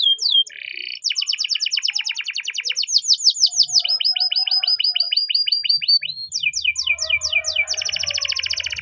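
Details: Canary (Belgian canary; sold as a Spanish Timbrado) gives a morning training song: fast, ringing rolls of repeated notes, shifting to a new high, metallic phrase every second or two, with a faint low hum near the end.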